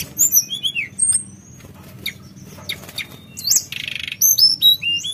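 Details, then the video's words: Javan whistling thrush in a fluting, rolling song style called nyuling ngerol: high clear whistled notes, some sliding and rising, with chirps, a short buzzy burst near the middle, then more high whistles and a low background hum. "Tledekan Gunung Gacor Nyuling Ngerol"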